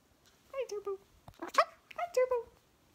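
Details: Pet cockatoo, described as chatty, indoors with its owner, gives several short harmonic speech-like phrases with falling, nasal-sounding syllables in quick bursts, separated by a brief sharp click.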